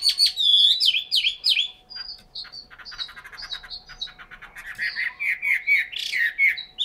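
A Chinese hwamei sings a loud, rich medley of slurred whistles and rapid chattering trills, with a faint steady electrical hum underneath.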